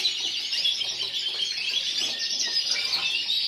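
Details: At Burgos 2014, the yellow frosted lipochrome canary that took individual runner-up pours out steady high-pitched warbling, rapid chirps blending into rolling trills with little variation in volume.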